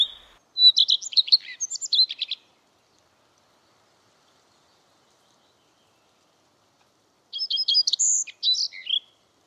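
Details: Common redstart singing: two separate phrases, each opening on a clear sustained whistled note, then a quick run of repeated buzzy-trilled notes and a scratchy, varied twittering ending. Silence between phrases, no other sounds.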